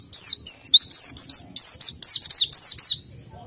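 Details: White-eye (pleci) in a cage, said to be low in breeding condition; a continuous run of loud, high downslurred whistles and twittered notes repeated rapidly for about three seconds.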